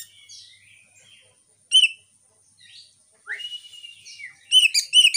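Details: Oriental magpie-robin (kacer) lure recording, used to rouse captive birds that have stopped singing, Realme phone; sparse faint whistles, then a sharp loud note, a rising sweep into a held whistle, and quick repeated chirps.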